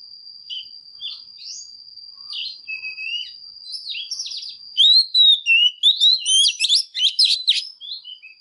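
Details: Female Oriental magpie-robin singing intensely to stimulate males: soft scattered whistles at first, then from about five seconds a loud rush of rapid, sharply slurred rising and falling whistled notes, over a steady thin high whine.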